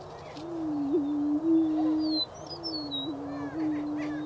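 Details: Spring booming of greater prairie-chickens, Wabaunsee County, Kansas: two long, low, hollow moans, each with a brief upward lilt, separated by a short gap. Thin whistles and cackles from other birds ring out higher.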